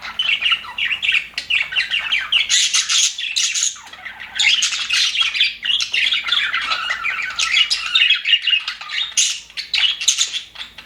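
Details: A flock of contented budgerigars chatters in an aviary: bursts of shrill squeaks and twittering overlap, easing into a short quiet spell midway before the lively chorus returns.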